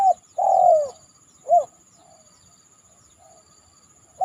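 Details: Spotted dove cooing after heavy rain, tried out on top of a banana stem: a short note, then a long, slightly falling coo, followed by a brief coo and faint softer notes, with a constant high electronic whine.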